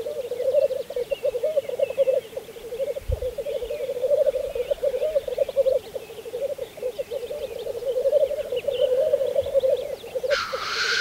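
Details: Black grouse at a spring lek on Saaremaa, 2014: a steady low bubbling, cooing rookoo runs throughout, with faint higher chirps above and a short hissing sneeze near the end.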